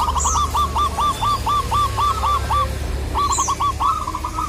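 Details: Zebra dove of local stock calling a rival; rapid series of short, similar coos repeated about four per second over a steady low hum, briefly interrupted then resuming, with a few high thin chirps.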